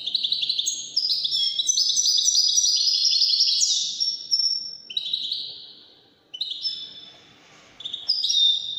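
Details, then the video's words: Goldfinch singing Moroccan wedani song: bursts of high twittering and rapid trills, a descending buzzy phrase, short quiet gaps, then more sharp chirps. "الحسون الويداني الملك الذي يستحق استماع وتمتع في ادائه في التغاريد الويدانية المغربية"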